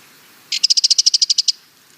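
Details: Sardinian warbler producing a rapid, evenly spaced machine-gun rattle of about thirteen sharp ticking notes in one second.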